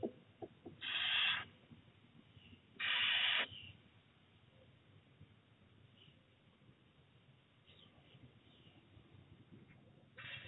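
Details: Little owl mother pushing her chick back into the nest box on 4 June 2023; two loud, harsh hissing bursts, each about half a second long, come a couple of seconds apart, then near quiet with faint scratching.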